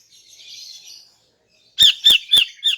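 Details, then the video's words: Morning calls of a female greater green leafbird, meant to draw in males: a soft, buzzy warble is followed after a pause by four loud, clipped, metallic chips. "KICAUAN CUCAK IJO BETINA PAGI HARI 🔥 Alternatif untuk Pancing Jantan"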